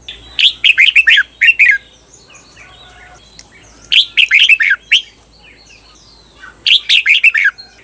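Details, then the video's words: Training recording of a caged red-whiskered bulbul's doubled (เบิ้ล) song: three phrases of quick, liquid chirps that slur downward, repeated roughly every three seconds with quiet gaps between. "เสียงฝึกเบิ้ล นกกรงหัวจุก เปิดสอนเบิ้ลยาวๆ เบิ้ลได้แน่นอน"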